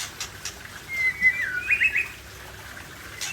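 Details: White-rumped shama of the Aceh type from the wild forest of Cot Goh, Bireuen: one brief whistled phrase mid-clip, a clear sliding note followed by a few quick warbled notes, over faint hiss and scattered clicks.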